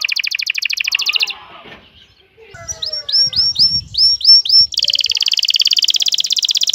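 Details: Excited male canary singing to stimulate a female to mate: a rapid buzzy trill, then a run of about eight bright rising whistled notes, then another fast rolling trill.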